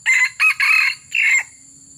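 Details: Crow of a red junglefowl recorded while luring wild junglefowl: four quick raspy bursts, a long drawn third note and a clipped final one, with a constant thin high whine behind.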